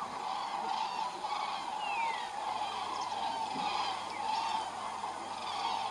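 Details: Many common cranes call together on northward migration in February: rolling, bugling notes merge into a constant chorus, with occasional brief descending whistles above it.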